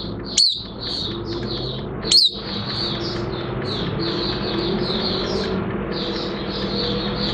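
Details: Moulting caged Oriental white-eye gives a steady stream of soft high twittering notes, punctuated early by two loud sharp downslurred chips, over constant background hiss.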